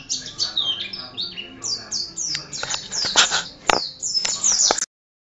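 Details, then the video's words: Pleci, the Oriental white-eye, in a tutoring recording: bright, rapid twittering of downslurred chirps and sharp ticks in quick succession, stopping abruptly near the end into silence. "Suara Kicau Burung Pleci Gacor Untuk MASTERAN"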